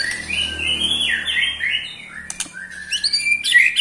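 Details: White-rumped shama eight months old, trilling in a way that agitates rival shamas; long buzzy rattling phrase, a sharp click, then quick high chattered notes.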